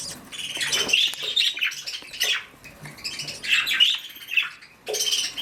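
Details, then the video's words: Captive mother budgerigar, also called parakeet, on duty at her nest: bursts of scratchy, chirping chatter in irregular clusters, with short pauses between squawky notes and faint rustling in a small indoor space. "Momma Budgie On Duty"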